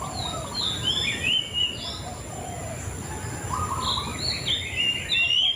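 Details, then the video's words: White-rumped shama producing varied whistled phrases and short chirp runs, loud at the start and end, over a low buzzy layer and persistent hiss. "Suara Burung Murai Cacing"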